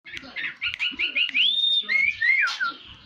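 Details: Orange-headed thrush singing a varied run of short whistled phrases, rising and falling slurs around a bright mid-high pitch, with a long clear whistled note near the middle and a faint background voice.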